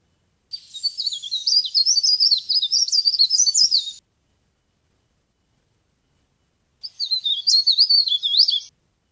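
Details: Leaf warbler used as a trapping lure: a high, thin twittering phrase of quick slurred zigzag notes lasting about three seconds, a long pause, then a shorter burst; the background is silent.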